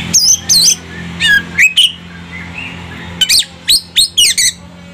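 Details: Oriental magpie-robin (kacer) provoked into agitated singing: loud, separated high whistled notes and sharp up- and down-sweeping phrases in two bursts with a pause between, over a steady low electrical hum.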